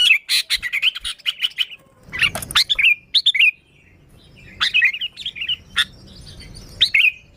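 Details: Sooty-headed bulbul singing, used for luring bulbuls: bursts of quick bright chirps and slurred warbled phrases with short pauses and a few sharp clicks.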